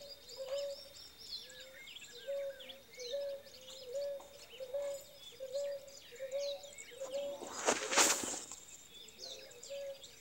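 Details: Ruddy ground dove male holding territory during the female's incubation, giving a long run of soft, even coos at a steady pace, over busy twittering of other birds and one brief loud rustling burst.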